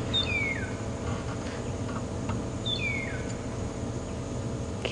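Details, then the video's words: Magpie shrike or long-tailed shrike calling in the distance in the African bush at Djuma Game Reserve on an evening safari drive, September 14, 2015: a clear descending whistle given twice, about three seconds apart, over steady insect hum. "can hear a magpie shrike or a long-tailed shrike off in the distance making that beautiful whistle. And"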